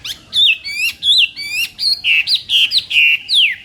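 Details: Chinese hwamei in morning voice training, singing loud, clear whistled phrases about four per second, each note rising or wavering, ending with a long downward slur.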